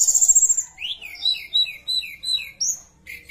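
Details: Javan bush lark singing vigorously as a lure for other larks: a fast high trill, then a series of short slurred whistles repeated roughly every quarter second, and a brief high upslurred note.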